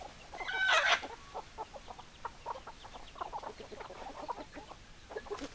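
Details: Chickens: a sharp, loud squawk at the start gives way to scattered short clucks from several hens.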